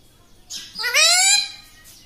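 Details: Pet parrot that is said to speak "mummy" and "papa", giving one drawn-out, rising, harmonic-rich vocalization lasting about a second, like a stretched spoken word, in a quiet indoor setting.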